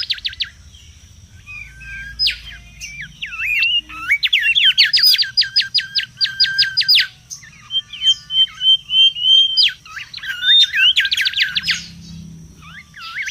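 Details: Mangrove whistler song from the wild, used as a lure and tutor: rapid trilled series of sharp repeated notes alternating with whistled slurs and pauses, with a faint steady high tone behind.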